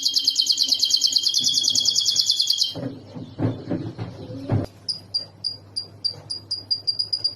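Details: Canary song used to teach a lovebird: a fast rolling trill for almost three seconds, a burst of low clattering noise, then short, sharp whistled notes repeated about twice a second.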